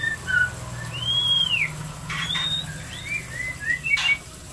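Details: White-rumped shama song played to encourage mating, with sparse clear whistles: a long arched slurred note, several short downslurred whistles, and a couple of sharp clicks, over steady low hum.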